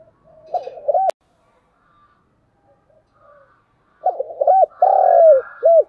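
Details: Vietnamese spotted dove used as a decoy bird, cooing to provoke a fight: a brief phrase cut by a sharp click, quiet gap, then a fuller run of looped notes, a long falling coo and a short final note.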